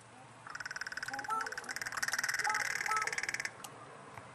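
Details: Small chorus of crows that a person feeds, calling for food: rapid, overlapping, harsh pulsed calls about four per second, swelling louder mid-way for three seconds before stopping abruptly, with a few thin whistled notes in between.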